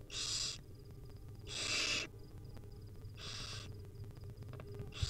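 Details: Hungry wild barn owl nestlings, mother feeding them: four rasping, hissy screeches at irregular intervals, each about half a second, over steady low hum and a small knock at the end.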